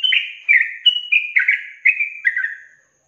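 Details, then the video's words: Yellow-vented bulbul in a long-trill style song used as a training recording for songbirds: a run of about eight short bright whistled notes, each slurring downward, delivered in quick succession and fading out at the end. "Masteran Trucukan Ropel Panjang Garuda Tembakan"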